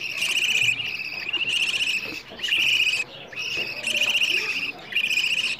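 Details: Budgerigar chicks asking for food, a recording meant to encourage budgies to mate and raise more young: loud buzzy, grating calls in repeated bursts of about one second separated by short quiet gaps.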